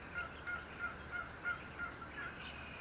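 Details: Bald eagle at the Fort St. Vrain nest, 57 feet off the ground, on 14 April 2024: a faint series of short, clipped chirping notes repeated about three times a second, evenly spaced, over steady background hiss.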